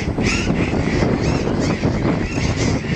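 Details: Burrowing parrots at El Cóndor beach near Viedma, Argentina, give harsh, grating screeches that overlap in quick succession over a strong low rumble of wind or background noise.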